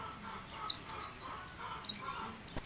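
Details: Mountain white-eye of the dakun type from Ciremai, singing in the ngeriwik style: a few thin, high, sweeping whistles in two short bursts, with faint lower tones behind.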